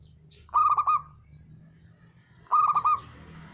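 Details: Male zebra dove giving two cooing phrases two seconds apart, each a rapid stutter of soft, bubbling notes trailing into a short sustained tone, with a faint low rumble behind.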